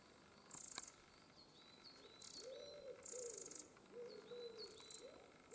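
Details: Eurasian wren family near the nest, with several young birds recently fledged, giving thin high chips and short bright buzzy bursts; softer, lower whistled arcs of another sound run beneath, over faint outdoor background.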